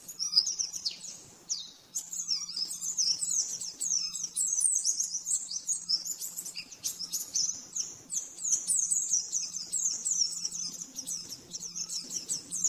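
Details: Rapid 'nembak-nembak' master song of a caged oriental white-eye for training birds: long unbroken stream of high, fast chirps and warbled runs, over a faint low hum.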